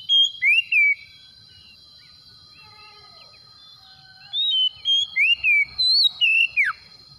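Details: Oriental magpie-robin (kacer), used as a lure to prompt a reluctant bird to start singing. Loud, clear whistled notes with sharp falling slurs come in two bursts. A quiet stretch between them holds faint distant whistles.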